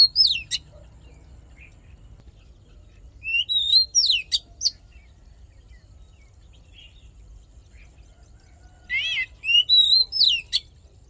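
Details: Fighting song from an Oriental magpie-robin, aimed at training voices and firing up males: sharp opening notes, then two clusters of looping whistles, one including a rasping stacked note, with quiet pauses between them.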